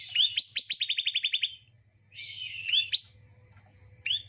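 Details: Bar-winged prinia song used as therapy to prompt a lazy caged bird to sing: a quick series of sharp, ringing chips, then a coarse buzzy note rising into a whistle and a lone upslurred call, against a constant low hum.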